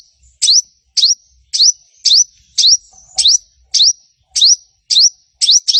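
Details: Crimson sunbird (sogon) lure song, used to prompt other sogon, including young, spotted and silent birds, to sing; sharp high chirps that dip then rise, repeated about twice per second, clean with no other sounds.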